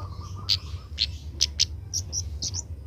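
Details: Young Oriental magpie-robin learning to sing: a short run of sharp, high chirps and brief whistled notes, spaced unevenly, over a steady low hum and a faint mid-pitched drone.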